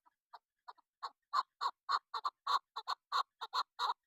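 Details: Female chukar partridge used for hunting calls in a quickening series of hoarse chuk notes, starting sparse and soft, then building into louder, tighter clucks, some paired, without background noise.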